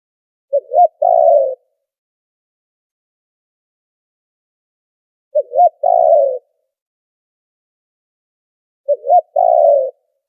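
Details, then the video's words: Repeated lure call of a spotted dove for trapping, noise-filtered: three phrases spaced roughly four seconds apart, each a short double hoot followed by a longer trembling coo. "Tiếng chim cu gáy chuẩn kích mồi đã lọc tạp âm | file mp3 cu gáy kích bổi"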